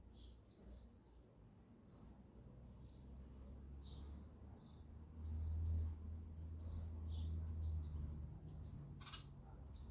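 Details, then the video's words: Sparrows at a feeder give sharp, high, clipped chirps every one to two seconds, around eight in all, with a low rumbling hum beneath and brief mixed chirping near the end. "sparrow sound effect | ચકલી ઘર | chaklino avaj"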